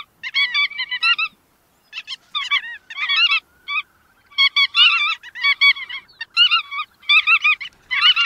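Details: Bar-tailed godwit calls come in clustered bursts of clipped, nasal, bouncing notes separated by short silences, with a few faint drawn-out tones between bursts. The recording is clean.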